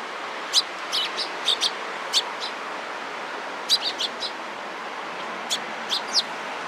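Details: Eurasian tree sparrows gathering around a person, recorded 27 April 2017; short, sharp, high chirps in loose bursts, about a dozen over six seconds, from several birds over a steady background hiss.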